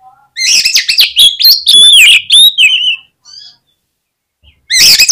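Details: Oriental magpie-robin lure song intended to make other magpie-robins sing vigorously. It is a loud, continuous jumble of rapid chips, buzzy notes and sliding whistles for three seconds, then a short pause before another burst begins.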